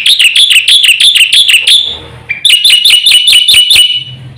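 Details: Rapid singing from a black-winged myna, a fast full song used to coax quiet birds into song: a burst of piercing repeated notes, a pause near the middle, then another even-paced volley.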